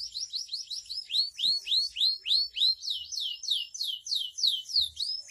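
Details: Canary song used as masteran, training material for other canaries: a fast series of high, downward-swept whistled notes, about three per second, repeated steadily through the clip.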